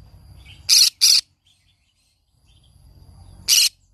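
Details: Green-cheeked conure singing in the morning, as it does every morning: three harsh, loud, noisy squawks. Two come in quick succession, then a pause of about two seconds, then a third. Otherwise near silence.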